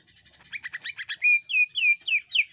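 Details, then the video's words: Jeritan shrieking of a cucak ijo (greater green leafbird), played to make other birds sing quickly: rapid buzzy chips accelerate into five loud, drawn-out whistled notes that slide downward. "JERITAN Cucak Ijo Gacor, Bikin Burung Lain Cepat Bunyi Gacor"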